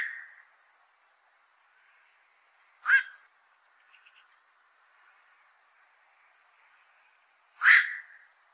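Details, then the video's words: Black-crowned night heron, a heavy fish eater that troubles fishpond owners, giving two harsh, barking single croaks about five seconds apart, with the fading tail of an earlier croak at the start and faint soft notes between. "BLACK CROWNED NIGHT HERON CALL SOUND"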